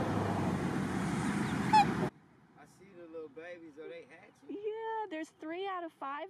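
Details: Australian black swan parents guarding three one-day-old cygnets near the nest at Lake Morton, Lakeland, Florida. A noisy start with voices gives way to soft wavering honks, then louder, quavering bugled notes in a rapid series.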